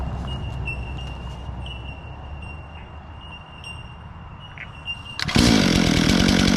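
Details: Bell miners (Manorina melanophrys) by a wet swamp road to a river in Australia giving clear, bell-like single pings every second or so, fainter higher notes behind; a loud engine roars in at the end.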